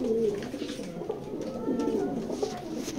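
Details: Several racing pigeons kept indoors for sale coo continuously, with soft, rolling, overlapping warbles and a few brief knocks in the background.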